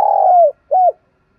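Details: Luring call of a Spotted dove from Đồng Nai, Vietnam: a long, steady coo that sags downward at the close, followed after a brief gap by one short rounded coo.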